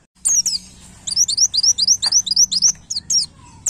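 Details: White-eye (pleci) song meant as a master recording for cage birds: a quick string of high, downslurred whistled notes, about four per second, over a faint low hum.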